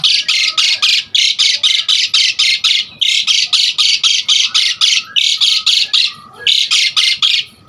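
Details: Jalak suren, the Asian pied starling, pouring out rapid harsh rasps, roughly four a second, in separated bursts with brief pauses; a lively recording intended to lure and tutor other starlings.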